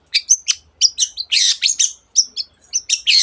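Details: Long-tailed shrike in full song, packed with mimicry of canary and many other bird species, rapid high chirps and buzzy notes in quick bursts.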